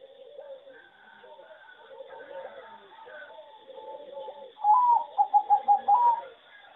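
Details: Singing zebra dove bred on a farm for competition, its melody judged poor. After a murmur of distant dove coos and bird chatter, a loud, quick, stuttering run of about six clipped coos ends on a rising note.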